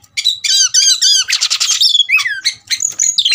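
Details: Fighting-provoked Oriental magpie-robin (kacer) gives loud harsh squawking phrases with layered whistled tones, then sharp downslurred whistles and scratchy notes in quick succession; faint low ticking underneath.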